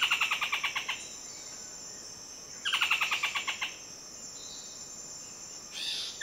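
Buff-throated foliage-gleaner giving two fast bursts of about a dozen sharp, slightly falling notes each, a second or so long, over a steady high insect whine.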